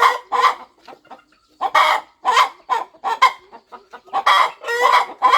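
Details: Brooding mother hen on a farm nest before her eggs hatch. Soft low clucks lead into louder, drawn-out nasal clucks that bunch together toward the end.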